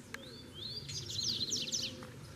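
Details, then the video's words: Double-collared seedeater in Brazil, caged bird answering a wild bird, sings a clear rising whistle followed by a rapid jangling series of high buzzy trills, with a low murmur behind. "SERA QUE MEU COLEIRO CORREU? O SOLTO VEIO PRA MOSTRAR QUEM MANDA!!!"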